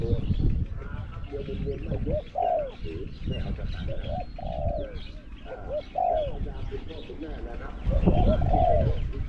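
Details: Decoy spotted dove, bird number 07, with a small-to-medium voice, competing with wild doves at a trap enclosure. A series of soft, arched coos roughly every second or two, mixed with heavy low-pitched noise and a distant loudspeaker.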